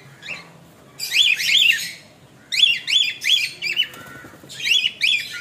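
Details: A tame sun conure chick gives harsh, rasping squawks in short bursts, each note dipping and rising in pitch.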